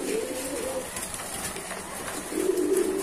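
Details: Kept pigeons cooing: a low, soft, droning coo near the start and another mellow coo toward the end, over faint steady background hiss.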